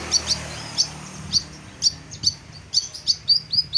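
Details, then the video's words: Olive-backed sunbird giving thin, high twittering chirps, about two per second at an uneven pace, over a low steady hum. "Kolibri Ninja Gacor"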